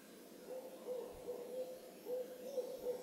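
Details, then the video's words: Moonrise owl at Carpenter Mountain fire lookout, H.J. Andrews Forest, Oregon; soft, low hoots repeated rapidly in short groups at a steady pitch, with faint background noise. "Owl Calling at Moonrise"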